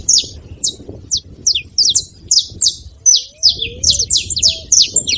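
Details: Saffron finch song used to warm up a reluctant canary: about one sharp high chip per second at first, speeding into dense chattering bursts, with a few low sliding whistles in the background.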